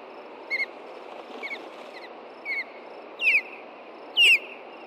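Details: After nightfall on a Hellgate Canyon nest in Montana, an osprey pair disturbed by an intruding juvenile gives alarm calls on June 2, 2014: a run of sharp, high, slurred chirps about once a second, growing louder, over constant nest-camera hiss.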